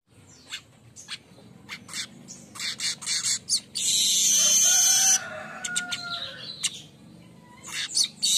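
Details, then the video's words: Morning song of a streaked weaver, singing actively, recorded as a training model for cage birds: scattered dry clicks and buzzy chatters build into a long loud hissing sizzle, then fade to quieter ticking notes and renewed buzzes. "gacoran burung Manyar kembang pagi"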